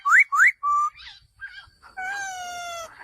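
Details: Male laughingthrush giving two quick rising whistles and a flat whistle, a few softer notes, then a long, steady, rich, harmonic tone lasting about a second.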